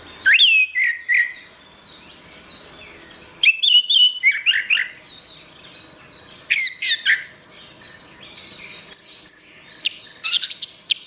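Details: Long master recording of orange-headed thrush song for training songbirds: loud, rapid bursts of varied whistles, squeaky twitters and trills every few seconds. Between bursts, a steady series of high, downslurred notes repeats.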